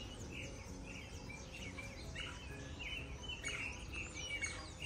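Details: A Creamy-bellied Thrush sings faint, varied whistled phrases in a bird-rearing farm in Brazil, a longer, more melodious song than the Rufous-bellied Thrush, with other birds chirping and a steady low rumble.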